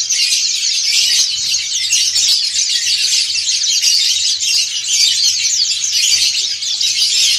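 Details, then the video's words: Many white-eyes of the dakun and montanus types sing together in a group in the ngriwik style. A dense, continuous chorus of high, scratchy, twittering notes overlaps without pause, with faint low hum beneath. "PLECI DAKUN NGRIWIK BERJAMAAH"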